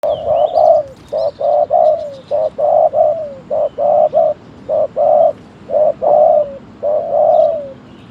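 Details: Spotted dove calling from a decoy trap: short low cooing phrases repeated in a steady series, each note hollow and slightly falling at the end, with faint high chirps from other birds behind.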